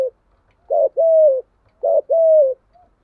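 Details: Spotted dove cooing, used as a decoy to stir up wild doves: two low phrases roughly 1.2 seconds apart. Each opens with a brief coo, then a drawn-out level coo that sags at the end.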